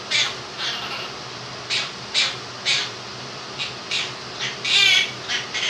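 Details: Pet Quaker parrot, two years old, singing his take on 'If You're Happy and You Know It' in a room with a running fan. Irregular raspy, nasal syllables, with one longer wavering note near the end.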